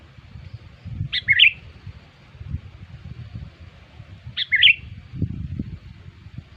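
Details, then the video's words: Sooty-headed bulbul lure call used to attract bulbuls: a short bubbly, warbling phrase of slurred notes, given twice about three seconds apart, over low rumbling background noise. "SUARA PIKAT KUTILANG"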